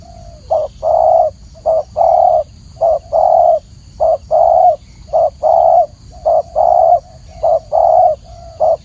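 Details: Long run of spotted dove song: short note then longer coo, repeated regularly about once per second, clear and loud against a quiet low hum.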